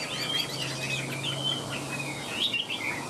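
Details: Caged Chinese hwamei with a fanned tail and a wing display, singing. Soft, quick warbled and slurred whistles run in a continuous stream, faint under a steady low hum.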